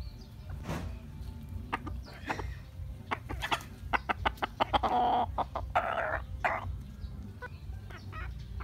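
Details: Polish chicken, also called helmet chicken, calling. Short clucks scattered through, then a louder burst of harsh, drawn-out squawks in the middle, over a steady low rumble of background noise.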